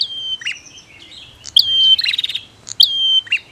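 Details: Prinia, female and male, giving sharp clicking pulses followed by long level whistles and a dense buzzy trill, phrases separated by short pauses.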